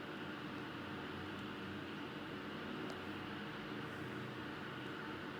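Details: Steady broadband hum like an engine or appliance running throughout, with no animal voice.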